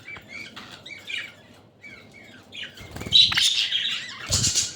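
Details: Budgerigars eating kalmi shak (water spinach) greens at Katlapur, Savar, Dhaka, give short warbling chirps in quick bursts, then louder, denser chatter toward the end, mixed with broadband rustling and fluttering.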